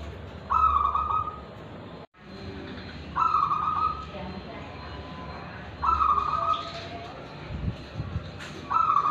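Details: Tulungagung zebra dove of local wild stock singing with Kristal and Ulem voice. Four trilled coo phrases about two and a half seconds apart, with a brief dropout and faint voices and knocks between them.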